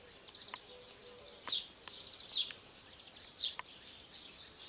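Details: Bird song outdoors: short high chirps and thin downslurred notes repeated about once a second over steady background noise, with a few faint clicks.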